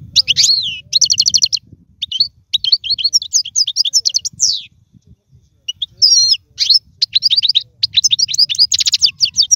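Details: European goldfinch singing as a model for young birds: long sequences of quick tinkling twitters and buzzy trills with a short pause midway, over a steady low background rumble.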